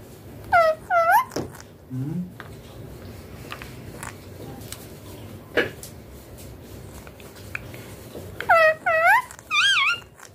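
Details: Young green Indian ringneck parakeet kept as a pet, said to be talking in cold winter weather; pairs of wavering harmonic calls open and close the stretch, with soft clicks and faint room sounds between.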